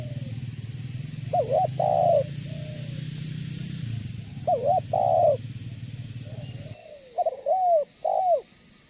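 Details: Spotted dove, banggo-type voice, a lure call meant to draw other doves into calling and coming closer: three cooing phrases of two short notes and a longer falling coo, the first two over a low droning hum that stops midway.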